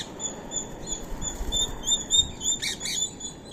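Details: Indian ringneck parakeet feeding on soaked rice and corn meal at 6:30 AM, 16 March 2025, gives thin, high, steady whistled notes, then a pair of brief harsh squawks near the end over low room rumble.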